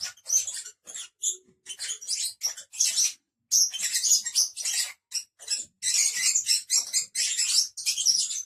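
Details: Five lovebirds kept as pets, calling in loud overlapping bursts of shrill chirps and screeches, nearly continuous with a short pause midway.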